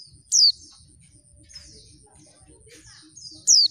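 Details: Female oriental white-eye calling to provoke lazy males into quick singing, as in the wild: two loud, thin, high whistled notes sliding steeply downward, about three seconds apart, with fainter high chirps between them and a low background hum.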